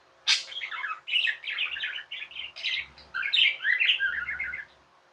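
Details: Pet budgerigar chatter: a sharp opening chirp followed by a run of rapid, buzzy warbled notes and twittering phrases lasting about four seconds, then fading.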